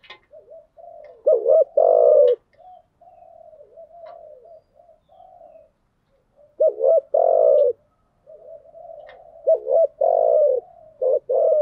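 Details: Spotted dove lure recording, female cooing to stir a decoy bird into calling, in thúc gù and gáy gọi styles: soft, low murmured coos broken by loud, full-throated double coos, twice in this stretch, with faint clicks.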